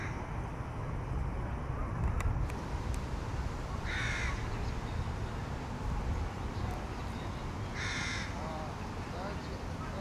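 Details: Young crow begging from another youngster, giving two harsh drawn caws about four seconds apart over a steady background hiss.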